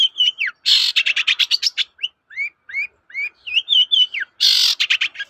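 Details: Long-tailed shrike singing energetically, used as a lure to make other shrikes answer: clear slurred whistles rising and falling between harsh, buzzy rattling bursts, then more whistled phrases and a closing harsh burst.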